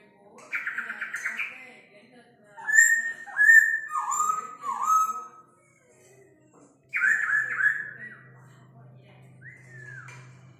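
A laughingthrush sings loud, drawn-out whistled phrases with sliding, falling notes, mimicking a rooster's crow, repeated twice with a pause between. A faint low hum sits underneath.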